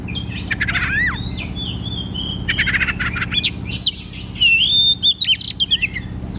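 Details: Oriental magpie-robin (kacer) in rich open song for training kacer that rarely sing: rattling trills and falling whistles, then loud sweet whistled phrases with rapid chips near the end, above a faint hum.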